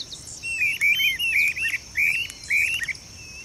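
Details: Streamer-tailed tyrant pair vocalizing during their display in a marsh in Goiânia, Goiás, Brazil, December 2017. There are about six quick, squeaky, slightly buzzy notes in succession, set against a continuous high insect hum.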